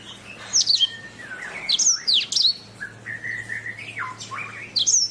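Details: Canary singing a training master: bright whistled phrases mixing sharp high slurs, steady mid-pitched warbled notes and quick chirps, delivered in varied bursts with short pauses between.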